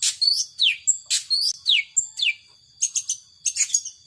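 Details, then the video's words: Long-tailed shrike singing in the power sobek style: sharp high chirps and quick downward-sweeping whistles in rapid bursts, separated by short pauses, with a steady thin tone running underneath. "Burung Cendet Power Sobek"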